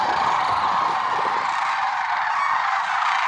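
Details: Lesser sandhill cranes at Merced National Wildlife Refuge on an early February morning, 6 February 2023; a dense, continuous chorus of many overlapping rolling, honking calls with no pauses.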